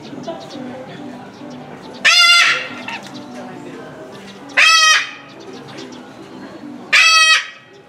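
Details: Salmon-crested cockatoo calling incessantly at Omiya Park Small Zoo, Japan, in December 2017: three loud, harsh, rasping screeches, each about half a second long, spaced roughly every two to three seconds over low background noise.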